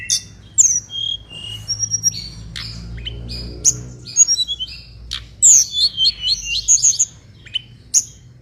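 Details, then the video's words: Energetic mangrove blue flycatcher singing: quick high whistles, slurred descending notes and chattering trills, growing denser toward the end, with a faint low rumble in the background. "MASTERAN BURUNG TLEDEKAN BAKAU GACOR"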